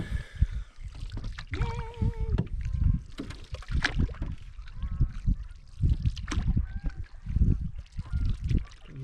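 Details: Canada geese at a meadowy campsite on Yellowstone Lake, Yellowstone National Park, in late July to early August, give a few nasal, wavering honks, then fainter ones later, over heavy low rumble from canoe paddling and water, with a man speaking.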